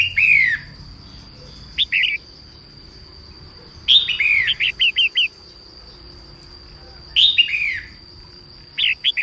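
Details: Morning singing by a female red-whiskered bulbul, aimed at stimulating males. Rich falling warbles lead into quick strings of four or five chirps, and bursts return every three seconds or so against a persistent thin high tone.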